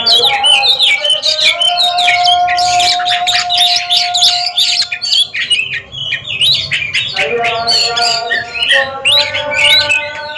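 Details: Oriental magpie-robins competing in a song duel, pouring out rapid, varied whistles, trills and scratchy notes. A brief lull comes midway before the bright, tumbling phrases resume over a constant droning background.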